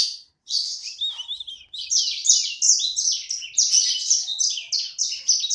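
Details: A small kept bird, described as the little one singing busily, delivers a fast, high twittering song of short chirps and sweeping whistled notes, growing denser and louder after a brief pause near the start, in a quiet setting.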